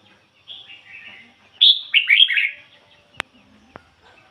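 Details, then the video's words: Red-whiskered bulbul decoy bird singing ngoi bổi song. Soft whistles give way to a loud, quick burst of slurred warbling, and two sharp clicks follow near the end. "chim chào mào mồi hót ngoi bổi giọng chuẩn ko lấn tạp ôm"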